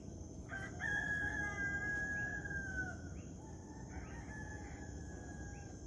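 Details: Rooster crowing at sunrise in the morning: a loud, drawn-out harmonic crow lasting about two and a half seconds, then a fainter second crow, over steady high cricket chirping and short repeated bird tweets.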